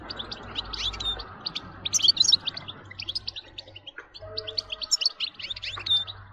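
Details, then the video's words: Twittering goldfinch song, meant to spur other goldfinches to sing, with scattered high chirps and trills over a steady broadband hiss and hum. "بتبتة نااار يا حبييبي ناااار لتهييج الحسون ستجعله يغرد من دووون انقطاع"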